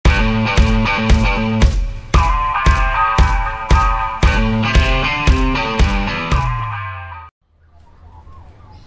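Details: Rhythmic instrumental music with steady low beats and layered tones plays for about seven seconds, then cuts to near silence with a faint low hum.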